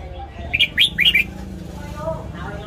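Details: Red-whiskered bulbul giving a short morning phrase for training caged birds: five clear, slurred whistles in quick succession, then soft background murmur.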